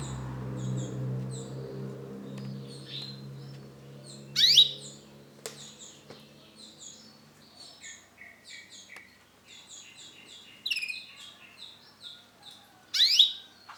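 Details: Male orange-and-black canary, kept as a cage bird, singing rows of short high repeated notes in quick trills, broken by loud sharp sweeping whistles, with a low hum at the start.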